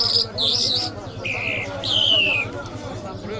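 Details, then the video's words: Lark, known locally as jal, gives high buzzy notes followed by two long clear whistles, the second falling slowly, over quiet voices and a steady low hum. "Lark Sounds"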